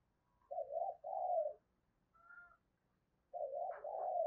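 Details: Lure cooing of a spotted dove meant to provoke a response from wild doves: paired low, mellow coos, a short faint higher whistle in the gap, then another pair of soft coos.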